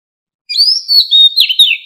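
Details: Wild mature Oriental magpie-robin singing, 2020, recorded for luring wild birds: after brief silence, a sustained clear whistle breaks into quick wavering, tumbling notes.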